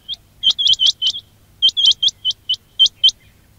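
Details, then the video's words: Quail call recorded as a hunting lure: crisp, rising whistled chips, first in a quick tight cluster and then in a steadier run of single notes, over a quiet background. "quail batair ki awaz"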